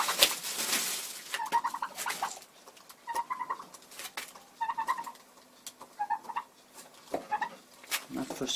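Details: Frustrated broody Bronze turkey hen in February repeats brief, reedy, stuttering note clusters roughly every one and a half seconds, with sharp clicking and tapping sounds mixed in.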